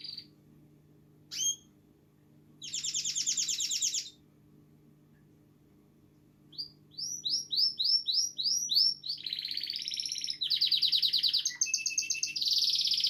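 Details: Domestic canary, described as happy and healthy, singing indoors: scattered high chirps, then a long varied song of rapid buzzy trills and repeated down-slurred whistled notes, rising in pace and loudness toward the end.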